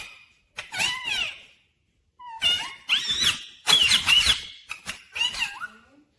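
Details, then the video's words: Talking pet Rose-ringed parakeet, said to say 'mummy papa', mixes squeaky, scratchy chatter with short looping voice-like tones, in several bursts with pauses, indoors. "Natural Sound of Talking Ringneck Parrot"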